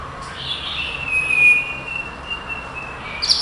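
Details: Male white-rumped shama, a caged competition bird placed third in Kuala Lumpur, holding a long, thin, steady high whistle for nearly three seconds, ending in a brief burst of sharper notes.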